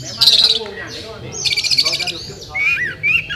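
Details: Oriental magpie-robin (Murai Kampung), a champion contest bird in the magpie-robin class at a 2018 song competition in Sri Aman, Sarawak, Malaysia, singing loud, rapid buzzy trills in two bursts, then clear whistled notes rising and falling, with faint background chatter.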